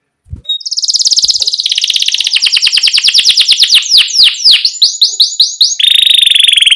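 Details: Canary singing a lively, continuous song to encourage young canaries: a fast high rattle that slows into repeated sharp, down-slurred chirps, then a rich buzzy trill.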